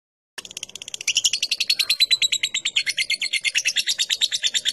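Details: Lovebird giving ngetik chatter, used to provoke long ngekek singing: after a brief quiet start, a fast run of sharp, high chattering pulses, about three per second at first, growing louder and steadier toward the end.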